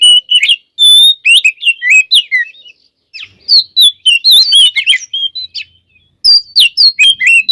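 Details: Oriental magpie-robin in lively full song used as a lure to make other magpie-robins quickly agitated: clear whistled notes, rising and falling slurs and short trills delivered in rapid bursts separated by brief pauses.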